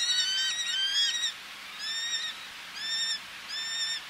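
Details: Male Eleonora's falcon calling at medium close range, females calling from ledges, sea nearby: bursts of harsh, nasal, harmonic-rich notes given in quick runs, a pause, then shorter groups of two or three notes.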